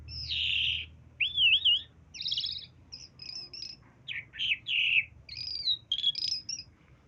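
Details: Talking myna voicing a sequence of distinct syllables: a harsh opening note, a wavering whistle, clipped buzzy chirps and sliding whistles, each separated by brief pauses, against a faint low hum.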